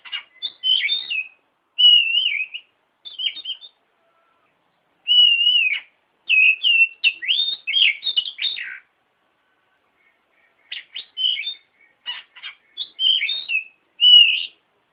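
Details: Oriental magpie-robin song for training other birds: varied whistles, slurred notes and quick chattering bursts in separate phrases, with pauses of a few seconds between groups.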